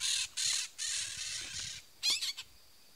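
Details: Rapid string of loud, raspy screeches from a peach-fronted parakeet: four long grating bursts, then a short gap and a quicker cluster of three clipped squawks.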